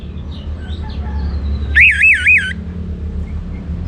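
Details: Kept orange-headed thrush from northern Bali in loud song: a rapid wavering whistled phrase that rises and falls several times in under a second, after faint thin notes, over steady low background hum.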